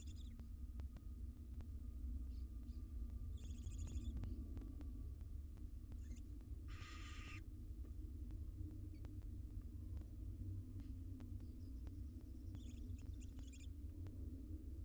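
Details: Wild barn owls, a family at their nest box, giving a few scattered breathy hisses, one stronger burst midway, over a loud steady low hum and regular faint clicks.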